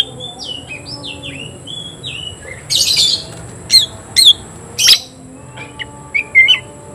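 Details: Oriental magpie-robin singing against a rival: a run of clear, falling whistled notes, then a loud harsh buzzy burst and several sharp explosive notes, ending with short high chirps.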